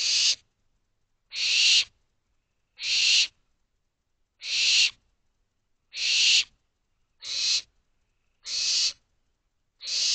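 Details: Late-May night in an owl box: barn owl owlets repeatedly beg for more food with eight harsh hissing screams over ten seconds, fairly regular, each around half a second.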